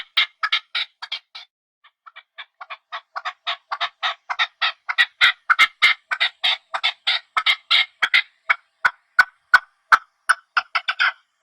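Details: Long series of partridge chirps from the natural habitat. Raspy notes come quickly and rise in loudness, then spread into crisp, separate chirps in the final seconds.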